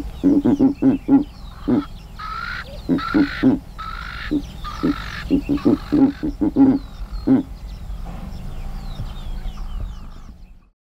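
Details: Giant eagle-owl in Kruger National Park grunting in quick low pulses, interrupted by four harsh, drawn-out higher calls from another bird mid-sequence, then further grunts before the sound tails off into quiet.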